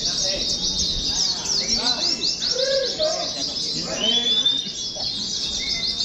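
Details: Oriental white-eyes in cages, hung together for singing-competition practice, keep up rapid sharp twittering at a high pitch, with a brief thin drawn-out whistle and some softer lower notes mixed in.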